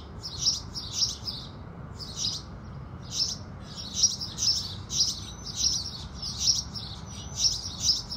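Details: House sparrows at sunrise chirping busily: about fourteen sharp, bright chirps in eight seconds, coming in quicker, almost continuous succession in the second half, with a quiet low rumble beneath.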